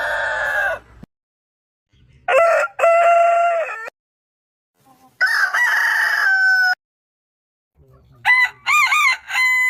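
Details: Roosters crowing one after another with gaps: a falling crow, a two-part crow with a long flat held note, a loud extended crow ending in a falling tail, then a wavering, warbling crow.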